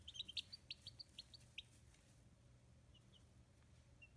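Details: Chicks fifteen days old, kept free-range in Kitahiroshima, Hiroshima, Japan; a quick burst of about ten sharp, clipped high chirps in the first second and a half, then near quiet with a few faint peeps.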